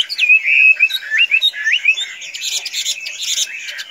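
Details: Hand-tame Chinese hwamei delivering clear, bright whistled phrases with quick upward flicks. These give way to a softer, scratchy chatter.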